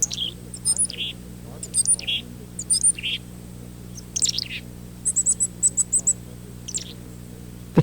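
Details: In spring, several active black-capped chickadees flit in a lilac bush beside a house, and one chases another away, then bursts into thin, very high notes and scratchy, garbled chatter in quick clusters over a faint low hum.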